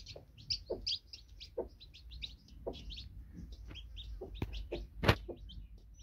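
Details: Newly hatched baby chicks with a broody hen: dense high cheeping peeps, many short and downslurred, over scattered low clucks from the hen, with a loud tap near the end.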